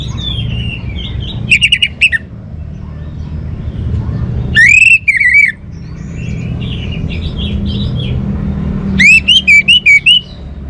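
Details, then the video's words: Orange-headed thrush singing three loud bursts of clear, slurred whistles that rise and wobble, each about half a second to a second long and a few seconds apart, with softer whistles between them over a steady low rumble. "suara burung Anis Merah"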